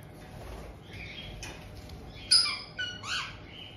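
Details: A resident pair of white-bellied caiques welcome a newly arrived young bird just over two months old, kept indoors in Tokachi, Hokkaido, on 18 June 2023. After a quiet start, sharp, high, clipped calls break out in quick succession near the end.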